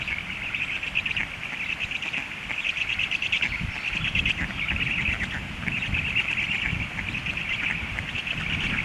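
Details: Begging from hungry young storks, a steady raspy high chatter of quick pulses over a low background rumble.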